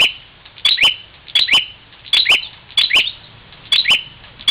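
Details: Bar-winged prinia, Parigi in Ciamis, West Java, squaring off with its own reflection; pairs of piercing high notes, each ending in a short slur, repeated roughly every second.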